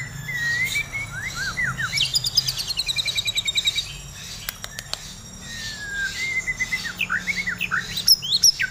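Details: White-rumped shama, a kept bird in over-breeding condition (over birahi) said to be listless from too much and irregular live feed, sings clear rising whistles, then fast chattering runs of repeated high notes and sharp clicks. Rapid notes are interleaved with sweeping whistles.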